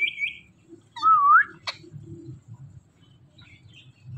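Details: Indian ringneck parrot, from a flock, gives a short, loud whistled note that dips and then rises sharply, followed by a brief sharp click. Faint chirps and low background rumble surround it.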